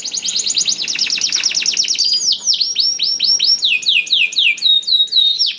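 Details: Loud canary song to get reluctant canaries singing: fast downslurred chips, then a long series of swooping whistled slurs and sharp high notes, continuous throughout.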